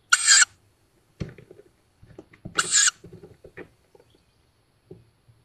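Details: Young Tawny owls just out of the nest, woods near Szokolya, Hungary, May 2022, nest-cam sound: two breathy rasping hisses roughly two and a half seconds apart amid scratching and rustling.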